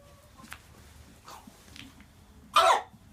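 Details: Buff Brahma hen, three years old, in a free-range mixed flock, gives one loud, harsh, croupy bark-like cough near the end, preceded by a few faint scratchy bursts; quiet background otherwise.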